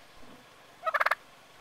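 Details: A lone male wild turkey that hangs around a small community's gate gobbles once, a quick rattling burst of about five gulping notes lasting under half a second; quiet background otherwise.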